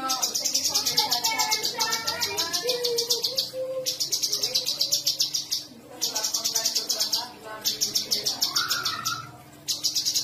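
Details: Sooty-headed bulbul repeating long, high, rattling rolling trills (ngerol) with brief pauses between them, over a busy background of lower twittering from other birds and a faint steady hum.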